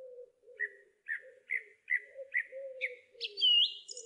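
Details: A song thrush repeats a short chirped note about seven times at an even pace, then ends on a brighter, sliding whistle. A low, continuous tone sits underneath.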